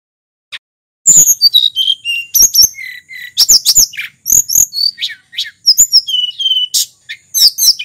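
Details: Sulingan from Mount Merapi in full, long-running song meant to lure tledekan birds: after a short pause, dense high whistled phrases, quick slurred notes and clicking chirps pour out almost without a break.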